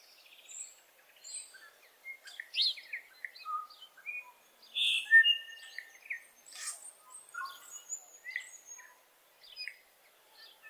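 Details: New Zealand bellbird in early spring in the Maungakotukutuku Valley, New Zealand: clear, ringing bell-like notes mixed with sharp chirps and rapid whistled phrases, spread unevenly over several seconds; faint other birds behind.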